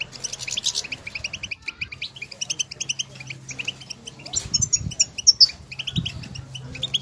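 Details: European goldfinches recorded outdoors in nature, calling to one another with stimulating twitter meant to prompt other goldfinches to sing: dense, rapid high twittering and chirps throughout, with brighter metallic notes near the end, over a steady low hum.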